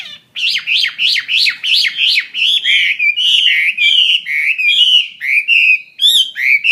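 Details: Chinese hwamei of the fighting type repeating loud downslurred whistles about twice a second, the phrases gradually flattening into smoother wavering notes, with a sharp high chip near the end.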